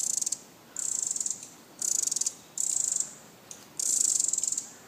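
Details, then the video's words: Alarm calling of a Pacific wren, a series of shrill, rapidly pulsed chatters high in pitch, each burst lasting under a second with brief gaps between, the last one longer. "Pacific Wren Alarm Call"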